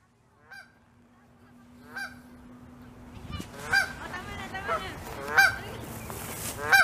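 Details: Wild Canada geese in Saskatoon, Saskatchewan, on May 16, 2021, with goslings settling under the mother's wing for sleep. Faint nasal honks at first, then louder harsh honks about once a second, against a low steady hum.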